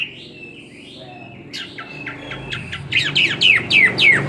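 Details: Caged Chinese hwamei, kept two years, giving a fighting song: thin soft whistles at first, then loud, rapid, descending whistled notes repeated about four times per second, growing stronger toward the end.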